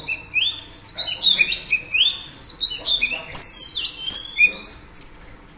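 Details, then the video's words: Female Oriental Magpie Robin singing to stimulate males: a lively run of clear whistles and quick slurred notes, some sliding upward and some dropping. Phrases are uneven, with louder, sharper notes near the end. "Than mái hót kích trống Oriental Magpie Robin Female"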